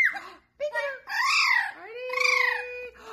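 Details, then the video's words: Pet blue-fronted amazon parrot chatting with its trainer indoors: a few voiced, speech-like syllables with swooping rises and falls, one held flat tone, and a short break of silence. "Parrot Talking"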